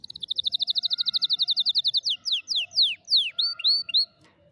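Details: Canary song meant to teach young canaries: a fast, rolling trill of bright repeated notes, then slower, louder descending sweeps and a few rising-falling whistled phrases, with a faint low tone underneath.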